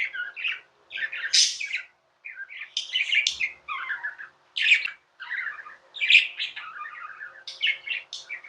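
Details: Continuous chirping from tame pet budgies: dense, jerky chatter of harsh squawky notes, whistled squeaks and scratchy trills, bursts coming irregularly for over eight seconds.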